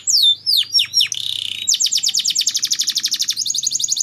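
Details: Canary used as a singing lure: a few swooping whistles, a brief harsh buzz, then a long fast rolling trill that steps to a higher pitch near the end.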